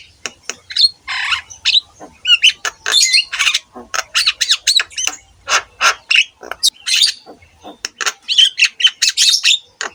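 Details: Javan myna singing, recorded to train other mynas: a steady string of short harsh squawks and clicks, roughly two or three per second, with occasional whistled notes and a buzzy burst near the end.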